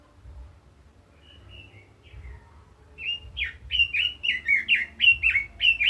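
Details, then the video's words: Red-billed leiothrix in heated 'kích giọng' voice: soft scattered whistles at first, then from midway a steady series of loud, sharply slurred whistled notes repeated nearly twice a second, over a low background hum. "Chim Quế Lâm kích giọng hay, căng lửa - Burung Robin Gacor | Chim Kim Oanh Mỏ Đỏ"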